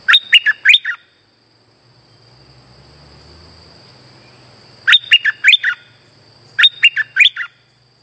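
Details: Active streak-eared bulbul lure song for trapping: three phrases of five fast, bright, falling chirps, the last two close together, separated by quiet gaps with a faint low murmur and a steady high hum.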